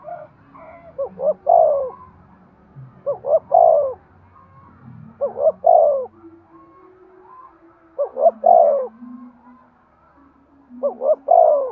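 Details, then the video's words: Repeated spotted dove coos for stimulating breeding: five phrases, each with two or three short notes leading into a long, soft, falling coo, spaced about two to three seconds apart over a low background hum. "Tiếng chim cu gáy thúc gù cực đỉnh/ chim cu gay kich boi hieu qua"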